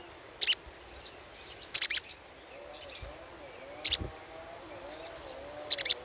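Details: Little spiderhunter chatter used to lure birds: brief, shrill chip clusters every second or two. Softer, lower ticking notes and a faint wavering tone fill the gaps.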